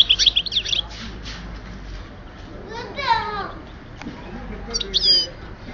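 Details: European goldfinch from Oued Souf, 2010: bursts of rapid, high twittering at the start and end, separated by sweeping slurred notes and quieter gaps with faint background murmur.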